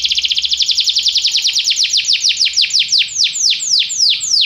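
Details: Domestic canary song used for canary training, to stir another canary to sing: a fast series of whistled notes sweeping downward, repeated about five times per second and gradually slowing, clear and loud throughout.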